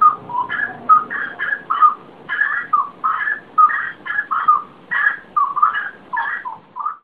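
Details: A bird singing before dawn: clear whistled phrases in a mid pitch, each slightly different, some rising and some falling, delivered roughly once a second in a steady, unhurried stream with no other sounds.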